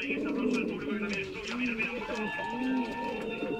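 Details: Low throaty cooing from fired-up male Canary pouter pigeons, short rising and falling phrases repeating about every second, against a layer of higher twittering birds.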